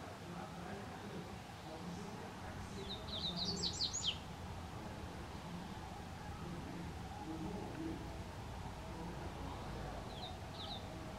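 A Double-collared seedeater gives one quick, high burst of slurred, sweeping notes lasting about a second, then a brief two-note fragment later, over steady low rumbling background noise.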